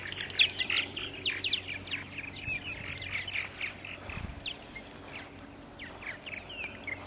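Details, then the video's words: Several purple martins calling at 8:30 AM on 14 April 2012 in Center Moriches, Long Island, New York; scattered liquid chirps and slurred notes, louder at first and then sparser, over a steady low hum. "Purple Martins on April 14, 2012 in Center Moriches, Long Island"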